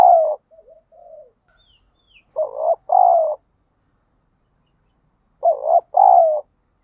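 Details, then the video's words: Spotted dove used as a decoy to provoke fighting and lure wild birds: three loud coo phrases, each a short hoot followed by a longer falling coo, with soft quiet notes between the first two. "chim cu gáy thúc đấu, tiếng chim cu gáy kích bổi rất lẹ nổi, tiếng chim cu gáy luyện mồi hàng ngày"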